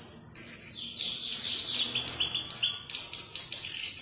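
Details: Orange-headed thrush (Anis Kembang) pours out a rich, fast, continuous rolling song of high whistled and chattering phrases, varied and unbroken, with little else audible; the song is used as a lure to prompt other thrushes to sing.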